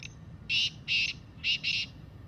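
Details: Black francolin call for encouraging captive francolins to sing. Four buzzy, rasping notes in two pairs, evenly spaced, somewhat quieter than the other recordings, with light background hiss.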